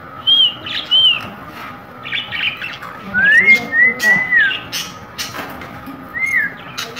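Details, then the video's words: Pet green parrot calling indoors: short arched whistles and harsh squawks, a pair of high whistles early on, then a run of rising-falling whistled notes mixed with squawks, with a steady background hum. "green parrot"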